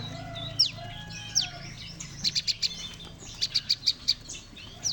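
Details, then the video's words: Chorus of many Bar-winged prinias, a recording meant to lure birds for trapping: scattered steeply falling high whistles, then two bursts of rapid, evenly spaced sharp chips around the middle and end, with a low background hum. "Prenjak Lumut | mantab untuk pikat | Pancingan Suara Ombyokan"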